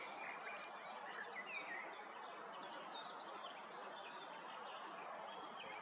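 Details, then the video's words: Willow warbler singing in woodland at Kotthausen, Wuppertal-Beyenburg, Germany, on 3 May 2023: a quick, sweet cascade of high whistled notes falling in pitch, over steady woodland hiss and faint twittering from other birds. "Fitis am singen im Wald"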